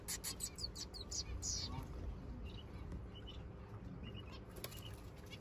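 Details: Society finch chicks in the nest, about five babies, begging from their parents on a farm. A quick burst of harsh, buzzy, high rasping notes is repeated rapidly and then fades into fainter scattered sounds and background noise.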